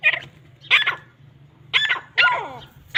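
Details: Grey francolins fighting, giving harsh, noisy bursts around a quarter second long with descending harmonic tails, spaced irregularly, over a steady low hum.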